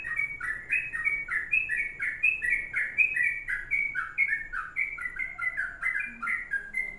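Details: A sooty-headed bulbul delivers its long kongslet-style song, a rolling stream of short liquid whistles alternating up and down in pitch without pause. A few soft low tones appear near the end.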